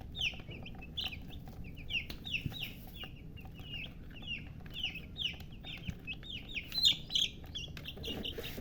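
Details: Hen's baby chicks chirping in a busy chorus of short, high, down-slurred peeps from several birds, some louder and closer, over faint low background noise.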